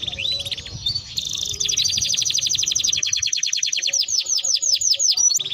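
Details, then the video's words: Timbrado canary in song: a sustained high rolling trill that changes into rhythmic falling slurred notes repeated several times a second, with a soft low hum early on. "Canary Bird Singing Timbrado canary singing beautiful melody"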